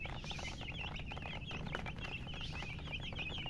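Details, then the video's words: Baby chicks peeping continuously, many short high notes that rise and fall, heard against a steady low rumble of background noise. "Baby "Chicks Chirping" Sound"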